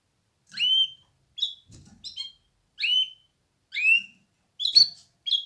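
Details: Canary repeating loud, clean, downslurred whistled calls roughly once a second, sometimes with quick doubled notes, in otherwise quiet surroundings.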